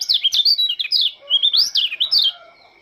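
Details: Oriental white-eye (Lombok type) singing in the morning dew: quick high whistled notes sliding up and down, strung in rapid warbling phrases with brief pauses, clear and loud.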